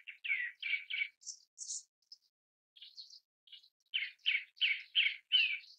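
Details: Grey-backed thrush (Turdus hortulorum) giving harsh, chattering call notes, about three a second, in two bursts separated by a few thin, high squeaks.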